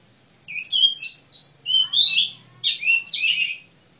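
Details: A kacer (magpie-robin) sings a continuous chain of clear, rising and falling whistles that shifts into rougher, scratchier warbled phrases near the end.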